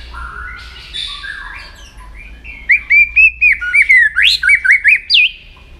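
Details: White-rumped shama in training for singing contests, delivering a soft warbled opening followed by a quick series of loud looping whistled notes, roughly four per second, ending on a rising upsweep.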